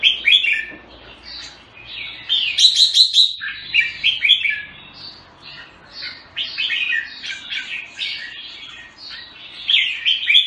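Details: Jambul (red-whiskered bulbul) from Singapore delivering continuous lively song: chirped and warbled notes in quick clusters with a ringing rapid trill early on, varying loudness throughout.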